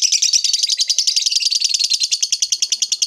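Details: Lovebird, a hobbyist's bird, giving the long 'ngekek panjang' chattering song: a fast, harsh, buzzy run of rapid notes, about three or four per second, steady and unbroken throughout.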